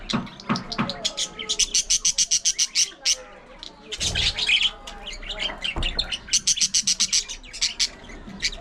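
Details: Budgerigars in an aviary colony: dense bursts of rapid, high buzzy chirps repeated in quick trains, with a brief harsh squawk in the middle and short pauses between runs.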